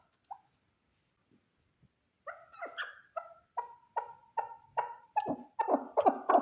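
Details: Male chukar partridge, one bird: a few isolated soft notes, then a speeding series of throaty clucks that rise in loudness and run together toward the end.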